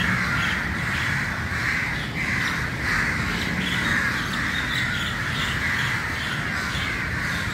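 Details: Many crows gathered at first light, squawking and cawing together in a dense, unbroken racket, a few louder harsh calls standing out over background noise.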